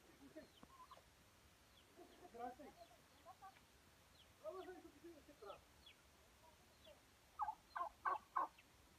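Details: Turkey calling in rapid, rattling gobble bursts, several loose clusters of throaty pulses spread through the recording, ending with four loud, evenly spaced pulses; faint steady background hiss.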